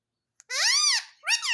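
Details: Indian ringneck parakeet, a pet kept indoors, speaks the word "mummy" in a high, squeaky, parrot-like voice: one long arched syllable followed by a shorter second one, in a small quiet room.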